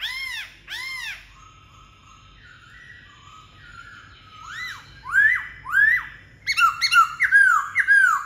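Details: Song of a white-cheeked laughingthrush: two arched ringing notes, a quiet stretch of soft tones, then a burst of repeated rising-falling whistles growing louder and faster.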